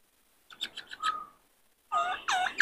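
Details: Distant-sounding caged White-cheeked laughingthrush male in breeding condition: a few soft chirps and a short level whistle, then louder, richer slurred notes with some background hiss.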